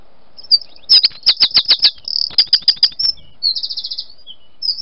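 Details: Wren singing from a rose arch: a rapid, loud, high song of sharp repeated notes and fast trills, several rattling series run together over about four seconds, with a soft background hum.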